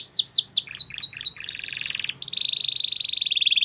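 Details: Tutor song from a Belgian canary for young canaries: three falling whistled sweeps, a few soft notes, a short buzzy roll, then a sustained ringing trill of rapid, even pulses.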